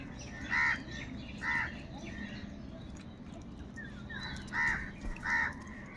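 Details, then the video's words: Large flock of crows, described as fighting for food, giving harsh, nasal caws: two loud strident calls early, a softer one near the middle, then a pair of loud caws near the end, over steady background murmur. "Huge numbers of Crows crowing and crying sounds | Kaka sound and noises of Crow birds"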